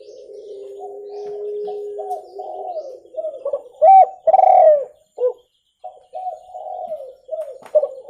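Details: Spotted dove giving its clear cooing call for luring birds: a long low level note, a run of rising coos building to loud bent hoots, a brief silence, then quieter coos resume.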